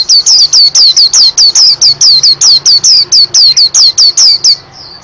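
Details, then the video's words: Nonstop, vigorous white-eye song, a long, even series of about twenty loud, piercing, falling chirps at a rapid, regular pace, ending in a softer trailing whistle. "Kicau burung pleci yang bagus"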